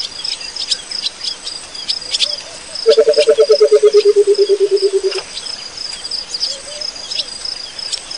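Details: Burchell's coucal at Pete's Pond, Africa, gives a low, hollow bubbling run of about twenty quick notes that slowly descends in pitch, like liquid poured from a bottle, over steady insect buzzing.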